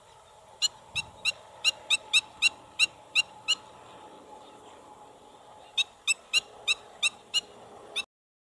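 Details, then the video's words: Black-winged stilt calling at Pont de Gau: sharp, nasal yelping notes, about three per second, in two bursts of roughly ten calls with a short pause between, over a faint steady background hum. "ECHASSE BLANCHE, cris"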